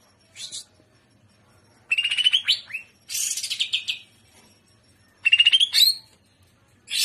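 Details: Greater green leafbird (Chloropsis sonnerati) song: bright, rapid bursts of chattering whistles and sweeping notes, four phrases in seven seconds, with quiet pauses between them.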